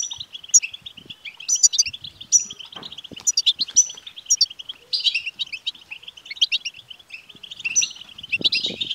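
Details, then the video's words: Song of the European goldfinch used to prompt a caged male to sing: busy, fast twittering chatter with repeated high ringing accents and short buzzes, over faint low background thumps. "بتبتة لتحفيز الحسون سوف يكسر القفص لأن دكر الحسون لن يصمت دقيقة واحدة بعد سماع هده البتبتة"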